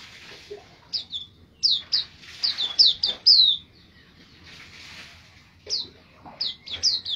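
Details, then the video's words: Master recording of a white-eye for songbird training: groups of sharp, high descending chirps come in irregular bursts, separated by short pauses, over a faint background hiss. "pleci gacor"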